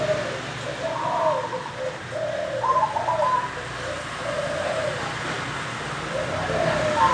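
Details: Wild-caught local zebra dove singing steadily in the early morning. Low, gurgling coos run one after another with a few higher rolling notes, over constant background hiss.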